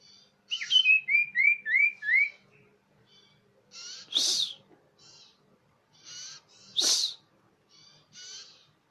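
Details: Common iora lure call, described as clear and loud: a quick run of five or six high whistled notes sweeping upward, then three separate loud sharp bursts and a few faint buzzy notes spaced through the rest.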